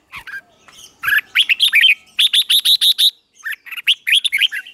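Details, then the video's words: A red-whiskered bulbul sings bright, chirping phrases of quick, repeated notes, mostly high and slightly buzzy, in lively bursts with brief pauses; morning song used for training. "Luyện chào mào hót sáng"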